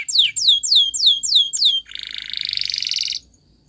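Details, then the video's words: Spanish Timbrado canary training song: five clear whistled notes sweeping sharply downward, about three per second, then a fast buzzy metallic trill rolling on for over a second before stopping abruptly. "Most Spectacular Video Training From Canary Spanish Timbrado"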